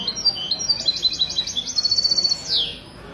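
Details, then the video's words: European goldfinch singing during a Sunday morning contest in Ksar El Kebir, Morocco, 16 February 2020; quick high chirps building to a rapid trill, ending in a downward slurred note. "تغريد الميستو من جمعية لكوس للحسون الدهبي"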